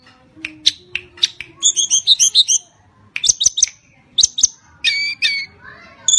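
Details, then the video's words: Javan tledekan gunung kept as a songbird, singing to provoke other birds into song: scattered sharp clicks and chirps, a fast twittering burst, separate high whistled notes, and a trailing soft rising note near the end. "Burung Tledekan gunung gacor NYENGKLAK cocok untuk mancing bunyi"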